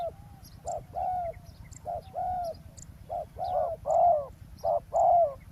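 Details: Spotted dove during decoy trapping of a wild dove at a roadside; low hollow coos, short note then longer falling one, growing louder toward the end, with scattered faint high bird chips.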